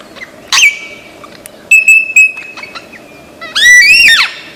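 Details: Lyrebird, called the bird of a thousand and one sounds, said to be among the most imitative birds and found in Australian forests: a sharp burst, a long steady whistle, clicks, then a loud harmonic chattering phrase with sweeping notes.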